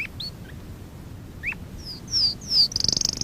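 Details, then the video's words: Canary in song training gives scattered short chirps and falling high whistles, building into the start of a rapid, very high pulsed trill at the end. "Kanarya sesi kanarya eğitim/1 canary sing"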